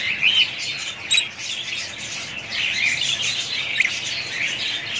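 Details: Budgerigars, kept budgie parrots, give a dense, continuous warbling chatter of overlapping chirps and squawks, with louder sharp notes near the start and around one second.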